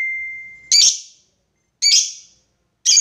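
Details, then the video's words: Lovebird lure recording of ngekek calling to a rival: a thin steady whistle, then three harsh high screeches about one second apart, each trailing off. "SUARA BURUNG LOVEBIRD MEMANGGIL LAWAN,PANCINGAN LOVEBIRD NGEKEK PANJANG"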